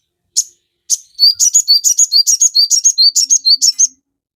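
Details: Sogon sound meant to provoke captive birds into song: two isolated high chips, then a steady, rapid run of paired notes, a high sharp chip followed by a lower whistled note, repeated evenly for about three seconds.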